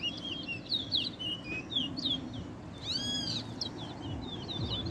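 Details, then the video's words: Towa towa singing in a 2021 competition at Ana Regina Park, Guyana: strings of quick chirps and downslurred whistles, one loud clear ringing note midway, with low crowd noise. "TOWA TOWA BIRD COMPETITION"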